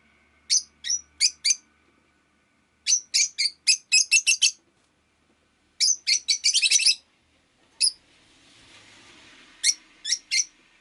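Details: Rapid runs of piercing, high lovebird chirps (Agapornis roseicollis) arrive in clusters of four to ten notes separated by brief silences, with a faint hiss of street noise near the end.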